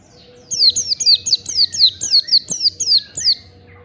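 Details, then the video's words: Training song of the Oriental white-eye for caged birds: about eleven bright, high, descending whistles delivered in an even, rapid series. "masteran pleci agar cepat ngalas bukpar, masteran pleci ampuh"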